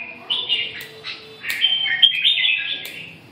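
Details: Red-whiskered bulbul singing quick, bubbly warbled notes in a run of short phrases, slurred up and down, with faint background noise.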